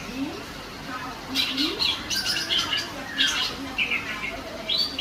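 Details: A female greater green leafbird singing persistently: a run of quick high chirps and short whistled slurs in bursts, some rising and some falling, over a constant background hiss and low rumble, with faint low voice-like sounds underneath.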